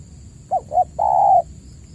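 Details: Spotted dove coo, played as a lure to get caged doves calling again: two short rounded notes followed by a long, level, mellow coo held for nearly half a second.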